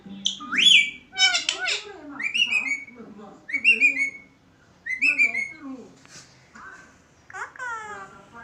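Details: A pet rose-ringed (ringneck) parakeet talks in short, high, nasal phrases, each with a sharp rising whistle-like note, repeated roughly every second with brief pauses.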